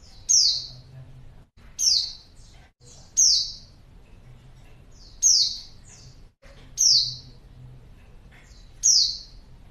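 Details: Female white-eye calling to attract males, which are said to answer straight away: six piercing, steeply falling high notes at irregular gaps of one to two seconds.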